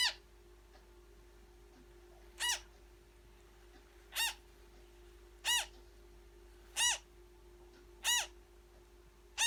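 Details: African grey parrot newborn being fed, repeating short raspy arched calls about every one to one and a half seconds, seven in all, each similar in shape and loudness, against a steady low hum in a quiet room.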